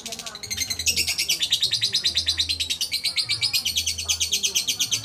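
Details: Lovebird held in the hand, ngudang chattering: a rapid string of shrill, scratchy chirps repeating about three times a second, growing louder and steady, over a low humming background.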